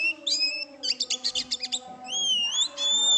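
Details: Oriental magpie-robin in full song: a series of rapid rhythmic chips followed by long, clear, rising whistles, over a steady low hum of background tones.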